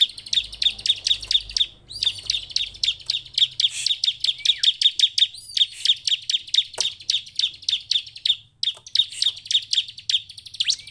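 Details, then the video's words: Bar-winged prinia lure recording used to make captive birds sing: a fast, dry, rhythmic run of sharp chirps near the same high pitch, repeated several times a second, with a short pause and a few higher notes mixed in. "Coba gunakan pancingan ciblek penuh emosi ini supaya ciblek diam ikut bunyi dan cepat gacor"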